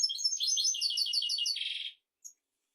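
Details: European goldfinch song meant for teaching goldfinches and canaries: a fast run of bright, tinkling twittered notes, then a brief buzzy trill near the end, closing with a lone high chip after a pause.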